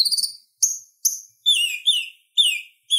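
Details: Purple-throated sunbird song in a lively, clear chattering style, played as a master for training kolibri ninja birds. Thin, very high notes, then a run of descending whistled slurs repeated about every half second.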